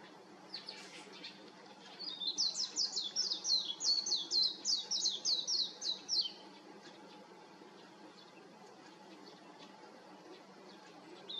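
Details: Warbling white-eye perched on an electric wire, giving a fast, high, sweet warble of about a dozen rapid slurred notes over four seconds, then quiet with low ambient hum.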